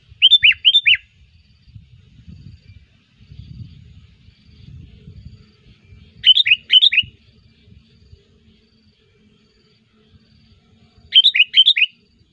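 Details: Sooty-headed bulbul lure song, energetic and chattering, for attracting wild birds: three bursts of about three quick bubbly notes each, spaced roughly five seconds apart, with soft low background noise between.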